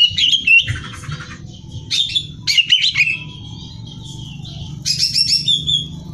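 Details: Greater green leafbird in gacor singing, recorded for competition training: separate bursts of bright whistled and trilled phrases with short quiet gaps between them, a buzzy rattle early on, and a faint low hum throughout.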